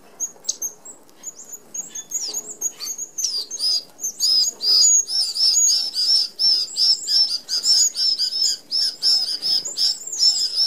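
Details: A feeding flock of Red-browed Finches, an Australian native, at an open aviary feeder with small mesh; high thin peeps build into a loud, continuous chorus of overlapping piercing squeaky calls.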